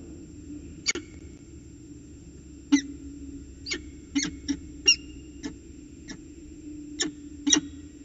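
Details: Chatting peregrine falcons performing a ritual dance at Orange, CSU, New South Wales, 19 February 2020. Sharp, rasping single calls are spaced irregularly, some doubled, against a constant low hum.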